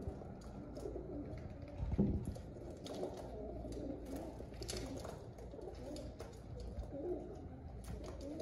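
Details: Low, bubbling pigeon coos run through the recording, with one louder thump near the start, light clicks and steady indoor rumble.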